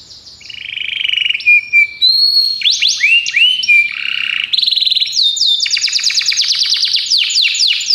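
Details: Belgian canary training song: low soft warbles and whistles building into looping swept notes and then a long, fast, loud trill.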